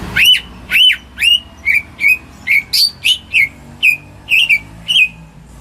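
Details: Home-kept greater green leafbird used as a singing lure for silent birds: loud, full whistled notes, first long and arching, then shorter chirpy upslurs spaced about half a second apart.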